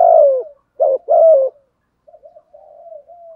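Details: A decoy spotted dove gives an urging coo to lure other doves: three low, mellow coos in quick succession, then softer, fainter cooing notes that trail off after a brief pause.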